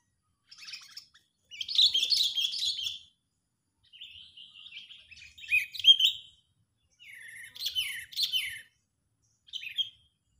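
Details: Sooty-headed bulbul calling angrily as a lure to trap rival birds: four separated bursts of scratchy, jumbled chattering with sliding notes, spaced roughly two seconds apart, ending with a short chirp.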